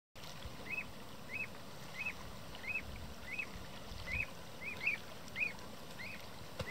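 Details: Common ringed plover (Charadrius hiaticula), call.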